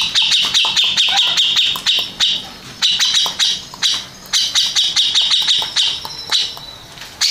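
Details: Contest-winning Grey-cheeked bulbul giving bursts of rapid high chattering notes separated by short gaps, the phrases rising and falling in loudness.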